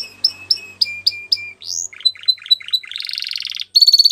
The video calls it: Belgian Canary Singing